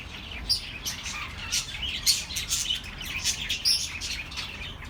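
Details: Flock of small birds, meant to soothe lonely pet birds, chirping busily: overlapping thin high tweets with sharper peaks every second or so over constant background chatter.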